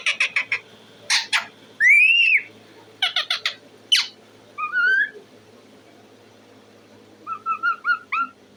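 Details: Talking parrot mixing staccato squawks with an arched whistle, a few short bent whistles and quiet stretches, ending in a string of soft, falling chirps.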